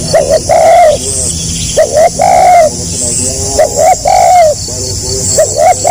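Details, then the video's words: Tekukur, or spotted dove, in the tight stuttering 'gagap' style: clipped double coos run into a longer mellow coo, phrases coming roughly every second and a half, with a constant high buzzing hum behind. "SUARA BURUNG TEKUKUR GAGAP RAPAT SELANG NGUKU"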